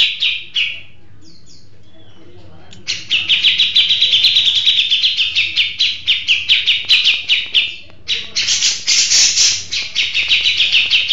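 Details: Grey-cheeked bulbul, a settled bird in full song, delivers brief high chirps, then a long run of rapid harsh notes about twice per second, a short pause, and another dense, loud burst of chattering phrases.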